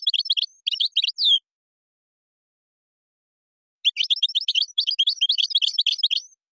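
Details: Moroccan European goldfinch delivering gazarat and srrr bertbertiu song: two bursts of quick, jangling high twitters, the first ending in a drawn-out slurred note, the second longer after a pause.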